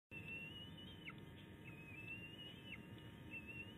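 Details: Bald eagle eaglet, one of three on an Illinois nest, on 10 May 2019, calling after a tiff with its mother. A thin, high whistled line holds steady with small wavering breaks and brief downward slurs, over low background rumble.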